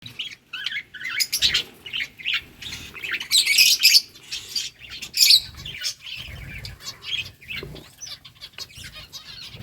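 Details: Budgerigars in a flock chirping: dense overlapping high chirps and squawky notes with bursts of wing flapping, busy chatter continuing throughout.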